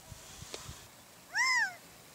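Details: Gambel's quail calling in a wetland at Moapa, Nevada, gives one drawn-out, nasal, meow-like note that rises and then falls, with a few faint clicks before it.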